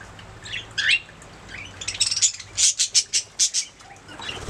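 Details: Budgies chirping: a few scattered squeaky notes at first, then a quick series of sharp, clicking high chirps in an even run, ending with softer twitters.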